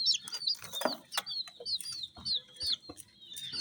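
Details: Baby chicks in bright colours chirp in short, high, downward-curving peeps, loud then softer, with some knocking and scratching sounds.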